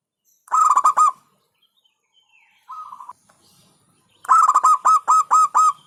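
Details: Local zebra dove song: a quick staccato phrase of rolling coos, a short soft note, then a longer burst of about eight evenly spaced, clipped cooing notes.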